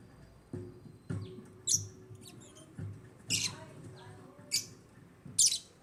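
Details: Shrill, high single chirps from African lovebirds repeat roughly every second, over soft low knocks and a faint steady hum.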